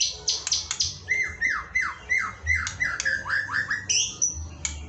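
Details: White-rumped shama song used as fill-in material to excite pet shamas: a run of loud, clear whistles sliding downward, repeated about twice a second, mixed with sharp high chips, over a constant hum and low rumble.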